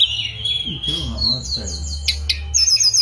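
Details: Mangrove blue flycatcher giving a long, steady high whistle followed by sliding notes and sharp clicks, with some low murmuring sounds and a rumbling hum in the background.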